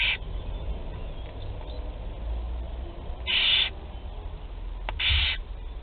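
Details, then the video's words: First feeding of barn owl chicks, Théding, France, 8 July 2020: three loud hissing screeches, each lasting under half a second, with a brief click between the last two. "1er nourrissage - 08/07/2020 - Les Chouettes Effraies de Théding"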